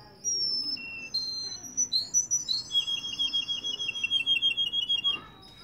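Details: Russian canary singing in Kuwait, indoors: a series of clear high whistled notes and short slurs, then a long rapid rolling trill of repeated pulses lasting about two seconds, ending abruptly.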